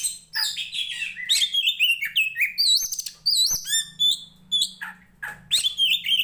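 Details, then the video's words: Poci-type Oriental magpie-robin from Tretes, a combative, persistent singer used to train other birds of its kind: dense, continuous run of sweet whistles, trills and rising slurred notes with a faint low hum underneath. "SUARANYA BIKIN POCI KACER MANAPUN EMOSI"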